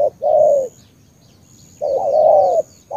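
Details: Spotted dove from Cà Mau, Vietnam: two drawn-out, mellow coos about a second and a half apart, each held then falling gently in pitch, with a faint high whine in the background.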